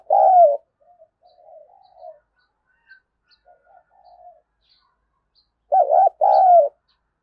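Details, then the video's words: Spotted dove calling to lure wild doves. The clip opens with one falling coo, followed by soft low murmurs, and ends with a full phrase of a wavering double coo plus a long descending coo. "Tiếng chim cu gáy kích bổi hiệu quả"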